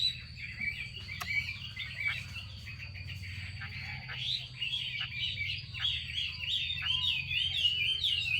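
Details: Female Chinese hwamei giving its 'xùy' call to stimulate males into singing: a dense, rapid run of warbled, slurred notes, rising and falling, about three to four per second, over a steady high whine and low hum.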